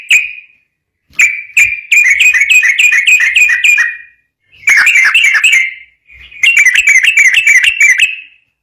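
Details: Sooty-headed bulbul singing briskly, serving as a lure to train other bulbuls: a few isolated chirps, then three long runs of rapid bubbling whistled notes separated by short pauses.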